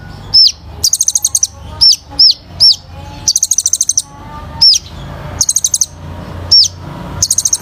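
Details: Kolibri ninja (sunbird) singing with shot-like phrases. Loud piercing downslurred whistles alternate regularly with bursts of rapid, very high staccato ticking, repeated over and over. The background is quiet.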